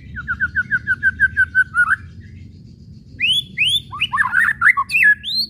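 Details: White-rumped shama, whistles and kretekan chatter used to provoke shamas into song: a fast even run of about a dozen short falling notes, brief pause, then loud rising whistles and scratchy chattering phrases.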